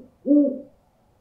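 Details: A single low, steady owl hoot lasting about half a second, with a fainter overtone above it, against silence. The call is played to scare birds.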